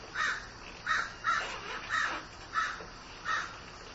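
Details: Grieving crow producing around seven loud, grating caws, a few bunched closely together, then more widely spaced calls.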